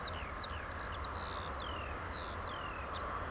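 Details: European golden plover (Pluvialis apricaria) in breeding plumage on a field near the Bucharest ring road, Romania, gives soft, plaintive whistles, several sliding downward, repeated over a steady low rumble of distant traffic.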